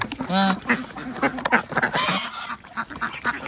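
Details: Farmed ducks at feeding time in a village duck farm in Andhra Pradesh; a drawn-out nasal call opens, followed by quick overlapping quacks that thin out toward the end.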